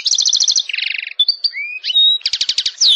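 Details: A European goldfinch in a "ngrool" style training song recording sings fast, bright twittering: quick high trills and buzzy rolls, broken by liquid slurred notes. No other sounds are heard.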